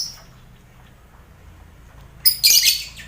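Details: Colony lovebirds housed with finches and quail, meant for contest-bird training: mostly quiet, then a sudden loud burst of harsh overlapping squawks in the final second.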